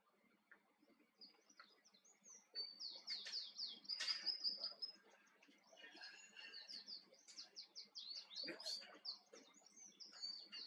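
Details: Wild male Atlantic canary on Tenerife singing a long, lively warble of high trills and rolled twittering phrases, fairly distant, with soft background rustle.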